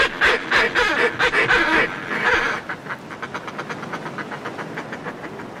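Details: Close recording of northern fulmars displaying in groups on cliff ledges: loud, harsh cackling chatter for the first two and a half seconds, then a fainter, quicker run of pulses over steady sea wash.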